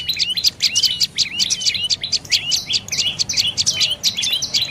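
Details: Insistent, rapid chirping by a dark-necked tailorbird: thin, bright notes stacked in fast bursts, repeated without a break for nearly five seconds.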